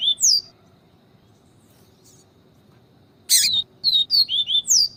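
Double-collared seedeater: a brief high chirp, a pause, then a quick run of sharp, down-slurred whistled notes, about five in a second. A faint low hum lies beneath.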